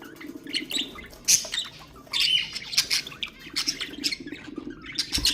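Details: Ornamental budgerigars in sounds meant to stimulate birds: harsh squawks and clicking chatter in uneven bursts, a soft low hum beneath, one thump at the end.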